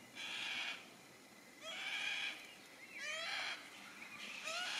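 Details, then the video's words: Yellow-tailed black cockatoos in Tasmania, Australia, give four harsh, drawn-out wailing screeches, each about half a second long and spaced roughly a second apart. "Yellow Tailed Black Cockatoos"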